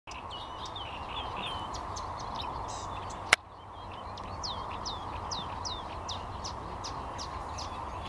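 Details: Common Rosefinch in reeds, 23 May 2021, giving short, clear whistled notes, rising and falling in quick series, over a steady rushing background noise with one sharp click.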